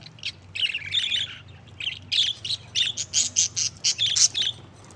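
A budgerigar warbles in quick bursts of chirps, squeaks and harsh chatter.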